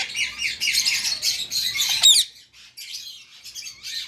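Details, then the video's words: Pet Indian ringneck parakeet gives a dense stretch of raspy screeching that ends in a sharp squawk, followed by quieter chatter. "INDIAN RING NECKED PARROT"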